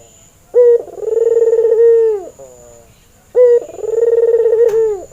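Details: ['Red-eyed albino Barbary dove, a male in breeding condition used as a lure for training other doves. Two long rolling coos, each starting with a short clipped note and swelling into a steady purring tremolo that fades downward.']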